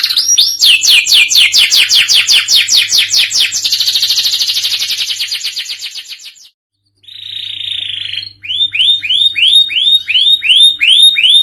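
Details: Canary singing in the gacor cengkok kekinian style: a fast descending trill of sharp chirps, then a buzzy sustained note after a brief pause, followed by a rapid series of arched whistled notes.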